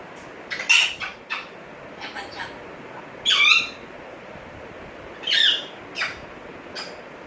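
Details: African grey parrot kept as a pet, talking, whistling and calling names: short clipped syllables in spaced bursts, two louder harsh squawking phrases, and a few brief notes, in a quiet room.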